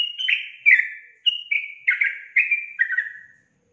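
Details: Brief burst of loud song from a yellow-vented bulbul: a slurred whistled note, then several rich gurgling notes falling in pitch, each trailing off.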